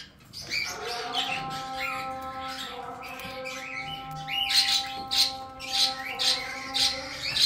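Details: Two male pet cockatiels, siblings, with their chicks while enjoying sunlight; a steady low tonal hum runs throughout, then harsh, loud squawks burst out roughly every half second in the second half.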